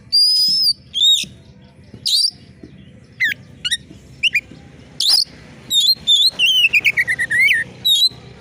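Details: Oriental magpie-robin in full voice, sharp screaming style meant to stir competition birds: high sustained whistles and quick upslurred notes, then a rapid run of clipped notes sliding downward, ending in a brief harsh burst and a high whistle.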